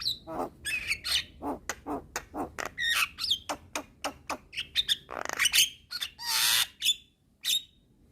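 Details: Black-winged myna (white-eyed form) song from a training recording for cage birds, with a bobbing display: loud, harsh and varied, with rapid chattering notes, squawks, whistles and a long rasping burst near the end.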